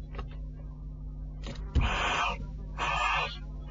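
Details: Barn owls at a nest box, a male visiting the female who does not want him there, recorded 6 July 2013 at 10:30 on a nest camera. Two broad hissing screeches, the second longer, over a low steady electrical hum.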